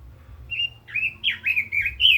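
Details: Red-billed leiothrix kept as a cage bird sings a sweet fluty phrase that builds into repeated warbled, slurred notes, roughly four per second, with a steady low hum beneath.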